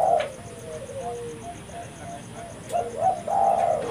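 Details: Spotted dove (tekukur) used as a lure for catching birds: a loud coo opens, then quiet gliding notes, then two short coos and a longer rough coo at the end; faint hiss throughout.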